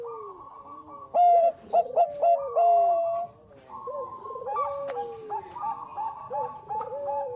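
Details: Energetic Bangkok-type zebra dove singing as a lure: a burst of loud clipped coos, one long level coo, then softer trilled and gently falling phrases repeated over a faint low background hum.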